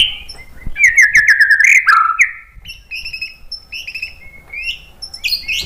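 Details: White-rumped shama singing as a provoking lure for other birds: rapid chattering warbled notes sliding downward, followed by clear varied whistles and thin high flourishes.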